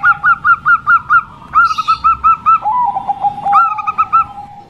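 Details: Female zebra dove, Bangkok type, whose voice serves to lure males that are slow to sing: brisk series of clipped two-toned coos, about eight in a row, then a lower trilled slide and another burst.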